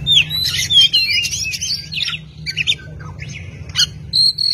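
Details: Varied oriental magpie-robin song recorded for bird tutoring: rapid falling whistles and twittering notes at the start, then scattered short chips and a held high whistle at the end, with a low steady hum behind.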